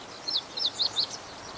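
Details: Meadow bunting singing among reeds in a fallow rice field in spring: four bright, high, downward-slurred chirps in quick succession, about a quarter second apart.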